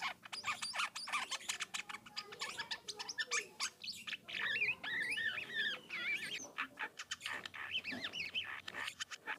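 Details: Philippine Asian glossy starling in full, active voice, giving a varied rolling song used as a lure to make other starlings answer: dense run of sharp clicks, rasping chatters and quick looping whistles, high-pitched and almost continuous, with brief pauses.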